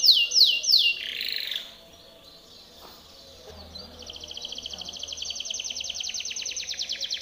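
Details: Timbrado canary in a powerful training song: a few loud curved notes and a rough burst, a brief near-silent pause, then a long rapid even trill building steadily.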